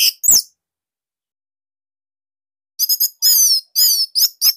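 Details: Bali orange-headed thrush, its tight, loud song used to stimulate other thrushes: two sharp notes, a silent stretch, then a bright run of high, wavering whistled phrases.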